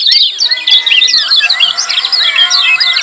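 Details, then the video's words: Crowded, nonstop chatter of lemon-bellied white-eye ciak calls, meant to stir quiet birds into calling. Rapid high twittering notes pile over one another, with a thin steady whistle running underneath. "Kecial Kuning Ciak Joss RIBUT RAME"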